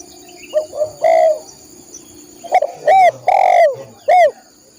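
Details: Spotted dove (tekukur, derkuku) song used to train caged birds: loud, mellow coos in two groups, short soft notes, then a swelling long coo and clipped accented notes, steady high hiss in the background.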